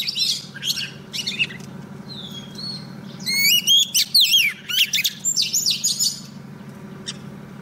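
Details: Singing to attract a male, a female Oriental magpie-robin kept as a decoy for trapping gives scattered chirps, then a loud run of sweeping whistles and quick notes in the middle, over a constant low hum.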